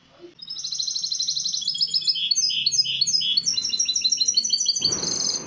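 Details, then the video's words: Song of a misto hybrid canary, recorded to train young birds: one long, unbroken stream of quick high trills with rounded, bubbling notes, ending in a brief noisy burst. "شريط طائر الميستو الهجين للتحفيظ الفراخ"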